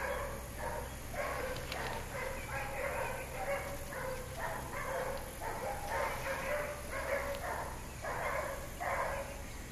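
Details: At Pouso Alegre in Brazil's Pantanal, a Peach-fronted parakeet feeding on flowers gives a long run of harsh, grating calls, roughly one every 0.7 seconds, over steady hiss and low rumble.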